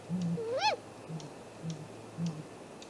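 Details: Single drawn-out great grey owl call at the nest, 7:15 am, 2 April 2018: a tone sliding upward, peaking, then dropping, followed by soft low pulses, captured by a nest-tree camera.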